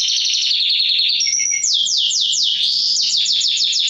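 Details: Canary singing to excite hens for mating: a rapid buzzy roll, a short pure whistle, then bold downward-sweeping notes repeated about three per second.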